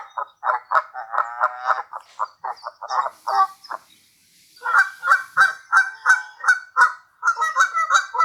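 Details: Canada goose at Sand Harbor, Lake Tahoe, Nevada, giving rapid nasal honks about three per second, a first burst then a steadier series after a brief pause, used when demanding food.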